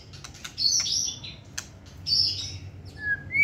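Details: Caged white-rumped shama, a competition-grade singer held in the hand while singing: short bright whistled phrases high in pitch, broken by sharp clicks, ending in a clean level whistle, with low room hum beneath.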